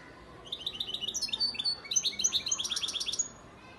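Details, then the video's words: A male European goldfinch, a breeding father bird from Antalya, Turkey, recorded in 2018, sings a quick, tinkling run of liquid twitters and buzzy trills, high and bright, lasting about three seconds over faint background hiss. "Saka kuşu ötüm"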